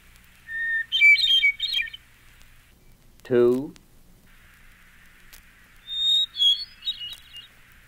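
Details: Two Hermit Thrush song phrases, each a pure whistled opening note followed by a tumbling flourish of higher fluty notes. A man's voice speaks briefly between the phrases.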